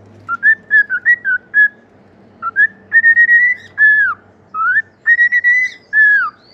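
A cockatiel whistles a tune-like phrase: quick clear notes, then longer slurred whistles that rise and fall, repeated in two bursts over a faint low hum.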